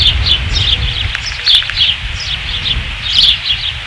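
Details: Osprey nest at Dunrovin Ranch, 5 August 2016: continuous faint, high, twittering chirps with some low rumbling noise underneath.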